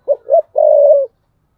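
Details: A single thúc bổi phrase from a decoy spotted dove: two short, husky, low notes quickly followed by one long, even coo, then silence.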